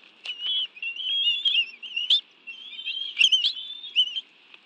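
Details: Bald eagle nest at the National Arboretum, Washington, D.C., in June, during a meal of fish brought by both parents for the young; high, thin, quavering whistled calls with a few sharp clicks between phrases.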